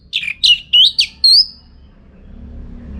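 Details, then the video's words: A captive orange-headed thrush (Geokichla citrina) sings a quick phrase of five high, slurred whistled notes, the last a rising, drawn-out whistle, then a faint low hum; used as a training recording for contest birds. "Tingkat Tinggi Masteran ANIS MERAH Gacor Untuk Melatih Mental Burung Untuk Gantangan"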